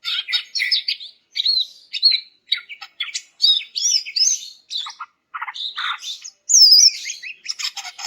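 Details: Greater green leafbird song used to trigger silent males: dense, continuous chattering of mixed whistles, squeaky notes and buzzy phrases, ending in a bright high warble.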